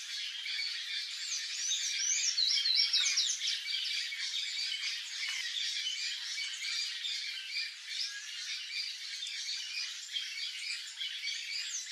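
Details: Palm tanager (Thraupis palmarum) singing: rapid, squeaky high-pitched twittering phrases, loudest around two to three seconds in, over a continuous dense chatter of other birds.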